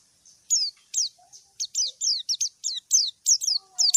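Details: A white-eye calling a rival gives sharp, high, downslurred chirps at about one every third of a second, thin falling whistles with brief silences, in a quiet clear recording.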